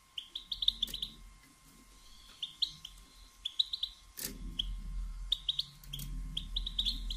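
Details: Soft batbata calls of a female European goldfinch, meant to encourage males to sing and pair: little bursts of three or four high chirps, a loud knock near the middle, with low rumble and steady hum.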